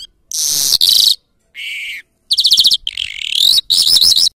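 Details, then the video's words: A Mashadi lunda lark sings in rapid bursts of high, buzzy trills and warbled phrases, some slurred upward, broken by brief pauses. "Mashadi Jal Singing afghani jal Singing Irani jal Agan Mashadi, صدای آگن مشهدی"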